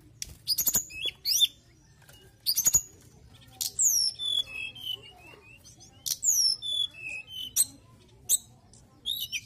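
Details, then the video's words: Mountain tailorbird pouring out song: piercing high whistles, many slurring downward, strung into short descending runs between snappy clicks and twitters, repeated over several seconds. "TLEDEKAN GUNUNG GACOR"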